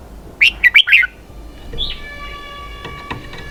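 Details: Red-whiskered bulbul singing in a style called "xoắn kép" (double twist): a quick phrase of four bright, warbled notes, followed by a softer rising note, with steady tonal hum lines and low background rumble.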